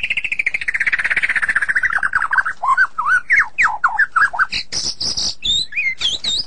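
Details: White-rumped shama singing, played as therapy for a sulking bird: a harsh descending rasp opens, followed by looping whistled notes and bright high phrases in a lively, varied sequence.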